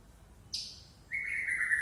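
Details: White-rumped shama, Aceh type, relaxed, unloading its repertoire: a short high, sharp whistle, then after a brief gap a louder, lower, sustained whistled note that steps down slightly.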